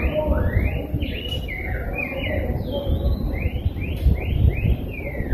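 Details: Singing rose-breasted grosbeak producing clear, rising and falling slurred whistles in a flowing, robin-like sequence, several upward-sweeping notes near the end, against a constant low background hum.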